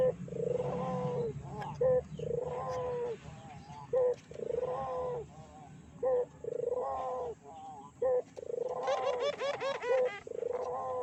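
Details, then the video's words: Dove lure call used to provoke other doves into calling. Low, hollow coos are repeated about every two seconds, each ending in a short sharp click-like note. A burst of higher rippling notes comes near the end over faint background hum. "PANCINGAN BURUNG PUTER GACOR!!! BURUNG PUTER MANA SAJA PASTI EMOSI"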